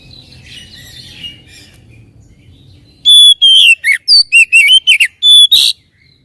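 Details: Oriental magpie-robin singing in a lure track for reluctant birds: faint scratchy warbling first, then a loud phrase of a long pure whistle, swooping slurred notes and choppy chirps, ending on another bright whistle.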